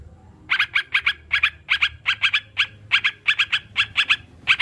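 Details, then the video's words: Sooty-headed bulbul beginning after a short silence, then a steady run of bright doubled chirps at a quick, even pace. Used to help kept birds start singing. Low hum underneath. "Terapi burung crucukan biar cepat bunyi dan anti stres"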